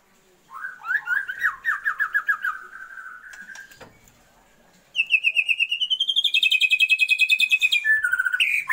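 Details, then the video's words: Female Oriental magpie-robin calling to the male for breeding arousal: a run of quick whistled notes gliding lower, a pause, then a long high rapid rattling trill rising in pitch. "Murai BETINA panggil-panggil Pejantan"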